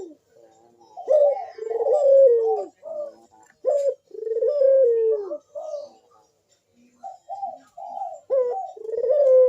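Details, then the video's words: Puter dove in sharp, loud bekur song, used to prompt other doves to sing: a series of deep falling coos broken by short sharp notes, with softer quick notes near the end. "Burung puter Rajanya bikin gacor‼️suara Bekur besar super tajam manggung merdu mengundang bunyi"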